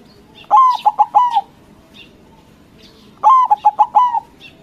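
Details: A white zebra dove (perkutut) sings big and loud as bait to provoke rivals: two rhythmic phrases of long coo, quick triple notes and long ending coo, with faint high chirps from other birds between.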